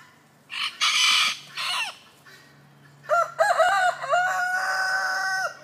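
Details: Two roosters, one small and one large, call; the large one seems to strain. A ringing, multi-part cock-a-doodle-doo ends in a long held note, after a few rough, noisy bursts of sound.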